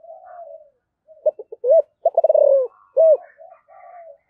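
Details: Calling spotted dove, voice style known as 'giọng thổ': soft lead-in coo, staccato notes, a rapid pulsed phrase sliding down into a drawn-out coo and a closing arched note, with faint quieter cooing in the background.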